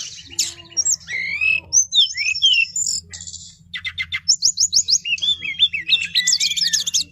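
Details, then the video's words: Brown-chested jungle flycatcher sings a long rolling ngeroll phrase: twisting whistles, rapid repeated slurred notes and quick trills in steady succession, with a low hum underneath. "SIKATAN RIMBA DADA COKLAT NGEROOLL PANJAAAANG"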